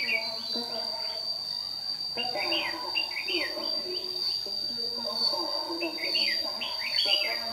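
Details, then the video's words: Red-whiskered bulbul of the white-cheeked type, a decoy bird in a dawn singing duel used for trapping, bowing and flicking its tail like an old wild bird, Đồng Nai, 26 June 2019; warbled rising-falling phrases repeated over a steady high whine. "Bẫy chào mào Má trắng đấu sáng cầu đánh đuôi như bổi già"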